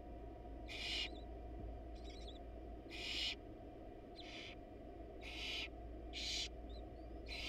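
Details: Male barn owl leaving a rat at a wild nest box while the mother is absent; strong breathy hisses recur about every second, interleaved with faint rattling chatter, over a steady low hum.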